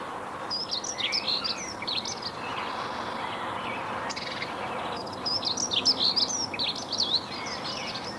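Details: A dunnock in scrubby, partly replanted woodland, in rain, gives two quick, high, jangling warbled phrases of about two seconds each, separated by a pause, over a steady low background hiss.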